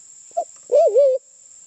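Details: A white-faced cuckoo-dove, endemic to Sulawesi and nearby islands, gives a short low note, then a longer mellow, wavering coo that dips and rises, used as a lure call, with a steady high electronic whine throughout.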